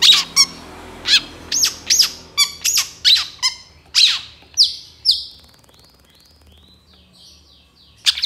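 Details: Long-tailed shrike, recorded as a training master for songbirds, in 'gacor' song with 'isian' fill-ins: varied harsh and chattering notes in quick series, then several drawn-out, clear high whistles, then a final sharp note.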